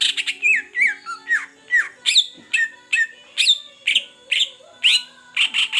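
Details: Captive greater green leafbird, originally from the forest of Beutong in Aceh and cared for one month, singing actively: a lively run of varied clear whistled notes, many falling or slurred, about two per second. A steady low hum runs underneath.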